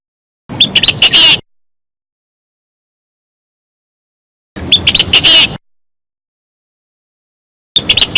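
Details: Chinese francolin decoy call used for trapping in Vietnam: loud phrases of about one second, each a quick run of five or six harsh, scratchy notes, repeated roughly every three to four seconds with digital silence between.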